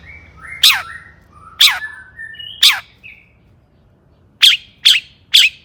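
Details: Long-tailed shrike in an agitated session aimed at rousing other shrikes: sharp loud clicks separated by soft, flat whistled notes, then three quick clicks near the end.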